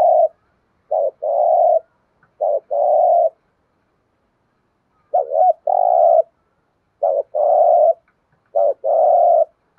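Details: Thúc gù cooing of a spotted dove: five phrases of a brief note then a longer, even, low coo, with irregular spacing and one long silent pause midway.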